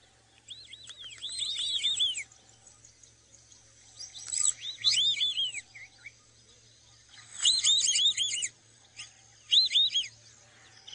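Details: White-faced whistling duck, recorded on a sunrise safari drive at 5:30 AM on 27 February 2018 in Sabi Sand near Kruger Park, South Africa, giving clear, high whistles in quick three- and four-note bursts, each arching up and down, in four bouts against a faint hum.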